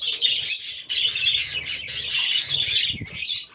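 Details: Budgerigars in an aviary, a dense continuous chatter of many birds with bright, scratchy high chirps and warbles overlapping without pause.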